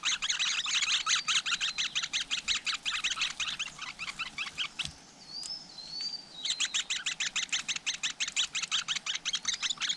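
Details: Flowerpecker nest holding chicks, outdoors in nature: dense, fast series of sharp high chirps, about three a second, broken by a short pause with a couple of thin rising whistles before the chirping resumes.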